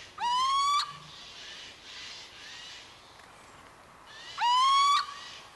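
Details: Little owl (Athene noctua) giving two loud, rising, whistled hoo-eee calls about four seconds apart, each sliding upward and ending abruptly, with quiet background hiss between them.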